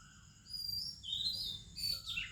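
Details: Short burst of Oriental magpie-robin song in an Indian morning chorus: a couple of sweet drawn-out whistles and a quick chirpy flourish over faint high hiss.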